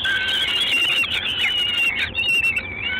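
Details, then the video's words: Peregrine falcon recorded in Gdańsk, Poland, 3 June 2016, evening: a sustained, high, squealing whine that wavers and briefly breaks up into a rougher, rising note near the end. "Sokół wędrowny"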